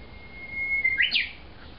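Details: Japanese bush warbler that returns every year to an overgrown home garden in Miyamae Ward, Kawasaki, Kanagawa, singing loudly from early morning: one long, even whistled note, then a quick rising and falling flourish.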